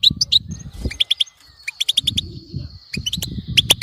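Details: Goldfinch bitbeta chirps, European goldfinch, played so a goldfinch never falls silent; sharp high notes in short runs over a long thin whistle, with a low rumbling hum in the background.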